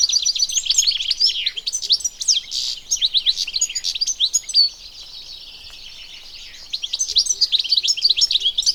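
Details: Wild-recorded European goldfinch, locally Arus al-Turkman or Taqtaq Shawk: busy high-pitched twittering song of tumbling chirps and buzzy trills, which breaks off for about two seconds of near silence before the tinkling phrases return.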